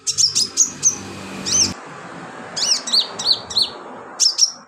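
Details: Lively sunbird song recorded as filler for training birds: a quick series of sharp, high whistled chirps, each clipped and slightly downslurred, repeated in an uneven rhythm over a low hum.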